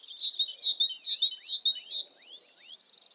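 Titmouse giving five high, bright, slurred notes about twice a second, then a softer, quicker run of faint notes.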